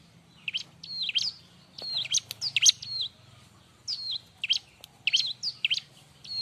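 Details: Lively Bar-winged prinia song meant as training material for other birds: rapid high chirps and downward-sliding notes in tight clusters, with a brief pause mid-phrase and a low hum behind.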